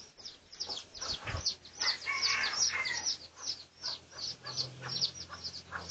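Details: Pradu-coloured red junglefowl in a research recording dated 18 August 2023, giving rapid high peeps that sweep downward, with a louder, lower chirp run in the middle and a low rumble near the end.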